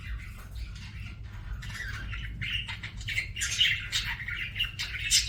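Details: Pet budgerigar singing, starting with soft chatter and building into louder squawky chirps and buzzy notes near the end.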